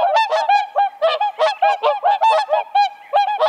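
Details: Whooper Swan calls in a dense, continuous chorus of loud, brassy honks, about three per second, with calls overlapping in a lively exchange.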